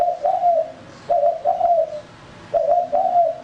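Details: Male spotted dove used for luring birds gives mellow low coos in three phrases, each a brief note and a drawn-out wavering coo, spaced about a second apart.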